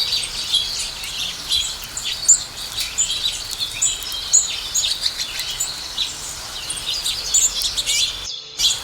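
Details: Several house sparrows chirp while eating food, a steady, overlapping chatter of short, high cheeps, with a faint outdoor hiss behind them.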